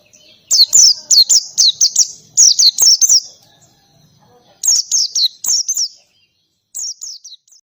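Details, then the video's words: Oriental white-eye performing ngalas-style song with canary-like flourishes: quick runs of shrill, high chirps, a long opening burst, then shorter phrases, ending with a few softer notes. "PLECI NGALAS,TEMBAKAN KENARI SUPER RIBUT"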